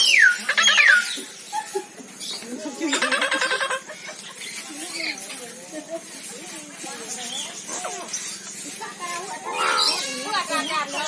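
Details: Eclectus parrot, native to Papua New Guinea, Indonesia and Australia: two quick descending whistles open, then buzzy, rattling squawks follow, with irregular chattering and a final harsh burst.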